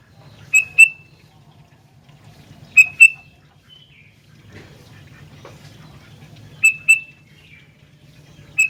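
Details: Sooty-headed bulbul singing busily, giving paired clear notes at spaced intervals with a soft trailing note, all over a steady low background hum.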